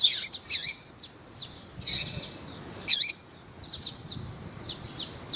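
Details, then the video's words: Double-collared seedeater, tuí tuí song style male with a female calling, used to excite males: spaced, loud, sharp chirps about every second, with fainter short notes between. "ESQUENTAR COLEIRO TUÍ TUÍ COM COLEIRO TUÍ TUÍ E FÊMEA DE COLEIRO CHAMANDO PARA ESQUENTAR COLEIRO"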